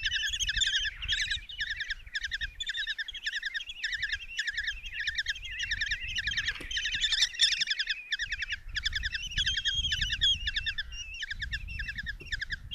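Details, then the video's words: Five common kestrel chicks beg in a nest box at Tiszalök, Hungary, on 27 June 2024 as their mother brings a mouse for breakfast; dense, overlapping trilled chattering of rapid harsh notes runs nonstop through the whole stretch. "Common Kestrels | Mom brings mouse in breakfast for five babies"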